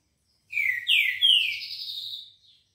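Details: A Green-winged saltator (Saltator similis) at 6:30 in the morning on Monday 18 October gives a loud, rich whistled phrase of slurred rising and falling notes lasting about two seconds.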